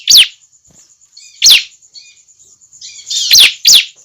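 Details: Bar-winged prinia juvenile call, used as a lure: loud down-slurred chips, first spaced widely, then a quick pair near the end, with soft notes between and a steady high whine.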